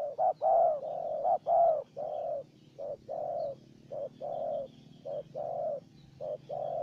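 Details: Spotted dove and decoy exchanging calls: dense run of short and long coos alternating quickly, nearly continuous cooing with a low background hum.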